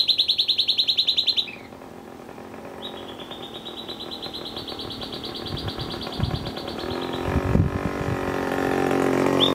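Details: Silvered Antbird (Sclateria naevia naevia) calling during morning birding at Peperpot, Suriname, on 27 Nov 2017: a burst of about ten sharp, high notes, then a long, fast, even trill on one pitch, over low rumbling noise.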